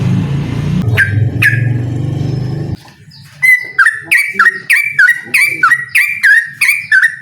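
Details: Yellow-vented bulbul challenging a rival: a loud low rumbling noise and two isolated whistles open the recording, then the noise stops and a quick steady string of bubbly, flicking whistled notes follows.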